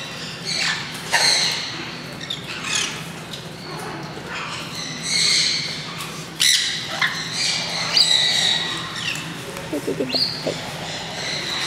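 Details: Green-cheeked parakeets entering an open aviary area for the first time at a bird park in Kakegawa, Japan; repeated harsh screechy squawks with brief sharp notes and soft thumps, low hum throughout.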